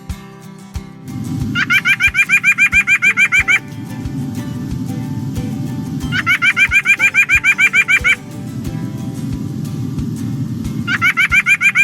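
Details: A white-breasted nuthatch, common at backyard feeders, calls on 18 May 2020 in three bursts of quick, nasal, evenly repeated notes, about three or four a second, over a steady low rumble.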